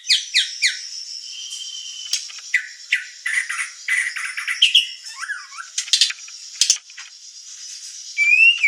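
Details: Murai batu, the white-rumped shama, used as a master and lure: repeated sharp downward strokes, dense chatter and whistles, with a rising whistle at the end.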